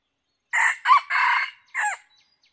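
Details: Red junglefowl crowing during decoy hunting: one clipped four-part crow, two short rising notes, a longer harsh middle note and a brief falling final note, against a quiet background.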